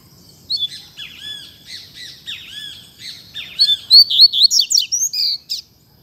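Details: Double-collared seedeater performing a fibra-style song: soft, rising, slurred high notes build into a loud run of quick, sharp, piercing chirps, roughly a dozen in under two seconds, then stop abruptly.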